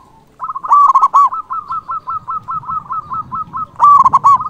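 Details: Local Zebra dove singing loudly to provoke rivals; a loud burst of coos opens a long, steady run of about a dozen short clipped notes, then another loud coo phrase closes.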